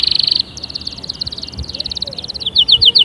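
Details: Canary song used to motivate other canaries: a tight rapid bead-like trill, then lighter fast chattering notes, ending with a few evenly spaced bright pips.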